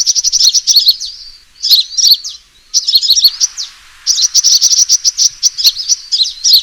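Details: Fighting call of a sunbird used for luring: bursts of shrill, rapid chirping separated by silent gaps, ending in a long, fast chattering series.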